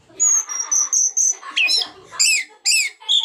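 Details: Orange-headed thrush in song, kept as a trainer bird to set other thrushes singing: high whistled notes near the top, then rising and falling slurred phrases and buzzy bursts in quick succession.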